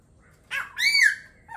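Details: Laughingthrush giving a short, harsh burst followed by a louder, strained, nasal note, then a brief soft tail.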